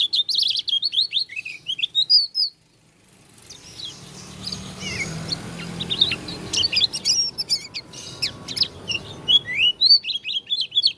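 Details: Lombok leaf-type Oriental white-eye with an odd-sounding voice: rapid high twittering at the start and end, separated by a stretch of broad rustling noise with scattered thin notes.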